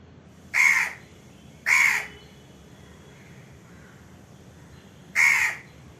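Indian crow giving three harsh, hoarse caws, two close together and a third after a pause of about three seconds; otherwise quiet.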